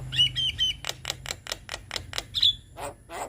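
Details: Young Javan myna song as a lure for young birds to sing: three short whistled notes, then evenly spaced harsh rasping notes, one more whistle and softer chatter at the close.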